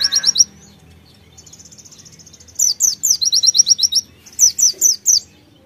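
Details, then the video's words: White-eye in full song with a konin fill-in: short high chirp bursts, a soft buzzy trill, then loud rapid strings of sharp downslurred notes in two phrases. "PLECI NEMBAK ISIAN KONIN GACOR"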